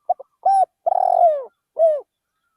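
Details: Spotted dove serving as a trained decoy in a rice field; one complete coo phrase: two quick soft notes, a steady coo, a long rolling coo sliding downward, then a short closing coo, in quiet surroundings.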